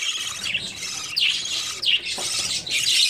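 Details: At the start of summer, breeding budgies keep up a continuous high, scratchy warble, with sharp down-slurred squeaks standing out every half second or so over the steady chatter.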